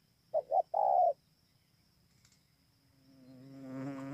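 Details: Single song phrase of a spotted dove at Bờ Y, Kon Tum, Vietnam, 28 November 2017: two short notes and a long coo, followed by a rising mechanical buzzing drone.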